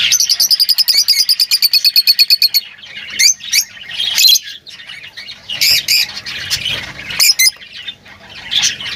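Lovebirds chattering: a rapid run of about twenty shrill, high chirps, then harsh squeaky bursts and scratchy twittering from several birds.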